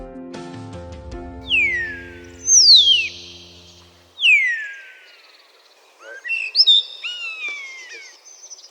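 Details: Common starling, a vocal mimic, gives a mimicry song: three long, clear whistles sliding steeply downward, then a burst of squeaky, chattering warbles, as low instrumental music fades out at the start.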